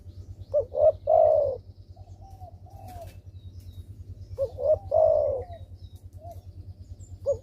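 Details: Spotted dove, a persistent caller used as a lure to prompt quiet doves to call. Two low cooing phrases about four seconds apart. Each has two short rising notes, then a long drawn-out coo, over a steady low hum.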